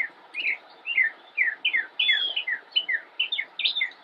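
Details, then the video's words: Immature northern mockingbird singing from a bush in Cabarrus County, North Carolina, United States, filmed 10-10-2016: a steady run of clear, downward-slurred whistled notes, several each second, with brighter higher phrases mixed in. "Northern Mockingbird - Singing from Bush"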